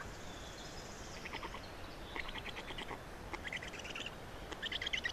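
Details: Black storks at their nest in Estonia during a feeding on 27 May 2019, 10:39; faint, somewhat distant chattering bursts of fast pulsed notes, growing a little louder near the end.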